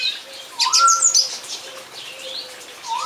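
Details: Song thrush song with varied high scratchy notes and a whistled mid-pitched phrase, against a faint steady low whistle in the background.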